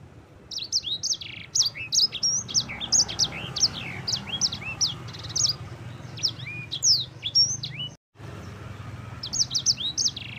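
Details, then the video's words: A yellow-fronted canary sings a fast, unbroken stream of high, sweet twitters and trills, used as a tutor track for other birds, with a brief cut near the end. "Suara burung sanger gacor"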